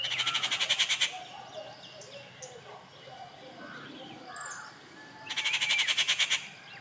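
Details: At Kattupadi on June 19, 2021, a rufous treepie gives two loud bursts of rapid grating notes, about a second each, with faint scattered bird calls between them.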